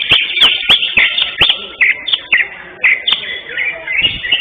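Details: Greater green leafbird singing at a bird contest where it took first place, 11 October 2025; quick clipped whistles and twittering notes repeated in bursts, mixed with regular loud clicks.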